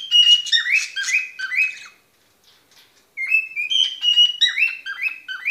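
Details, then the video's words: ['A pet cockatoo whistles a fast, bright series of slurred chirps, falls silent for about a second, then resumes with another rapid repeated run of high squeaky notes.'] "Mi cacatua silbando"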